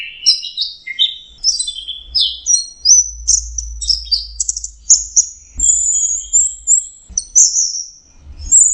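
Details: An orange-headed thrush (anis merah) sings in its 'teler' mode: a rich, rapid, varied run of high whistles, trills and buzzy notes with few pauses over a low hum.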